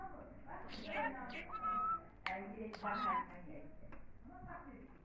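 A budgerigar talks in two bursts of speech-like chatter, with a few clear whistled notes and clicks mixed in.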